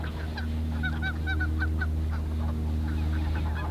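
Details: Greater white-fronted geese, Ahsewiesen reserve, February afternoon; quick high yelping honks in a run of several notes, against a loud steady low hum.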